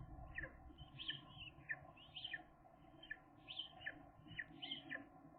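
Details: Seagull chicks on day 13, two surviving and learning to find the food tray themselves: high thin down-slurred whistles repeated in pairs roughly every second over a steady low hum.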